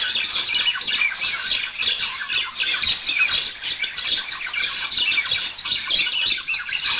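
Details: Budgerigar pair warbling, a sound meant to stimulate mating and singing: a continuous dense chatter of rapid squawky chirps, clicks and warbles, steady throughout with small surges in loudness, no other sounds clearly heard.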